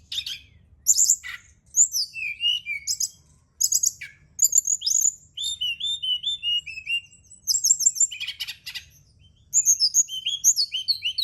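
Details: Brown-chested jungle flycatcher song played at night as a lure and therapy to make kept birds sing more: bursts of high whistled notes, sliding slurs and buzzy trills in phrases separated by short pauses, over a faint low hum.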